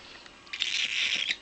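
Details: A baby cockatiel, hatched 25 October 2012 and likely a pearl, begs as if starving though its crop is still half full, giving a harsh, raspy, hissing begging call in a short rapid burst.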